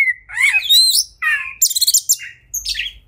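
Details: Oriental magpie-robin in agitated fighting song, said to rouse other magpie-robins into spreading their tails: a clear whistled note, then twisting slurred whistles, a bright rattling burst of high notes, and sharp upslurred phrases.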